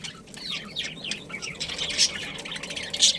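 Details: Budgerigars from a breeding pair chattering in quick, twisting warbled notes that wobble up and down, with a couple of sharper squeaks toward the end.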